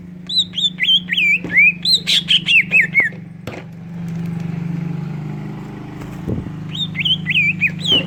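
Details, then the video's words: Greater green leafbird lure song with kingfisher imitations, meant to get other leafbirds singing: series of clear whistles, each sliding downward, a pause with a low hum and a click, then the falling whistles resume. "Pancingan suara cucak ijo isian tengkek udang"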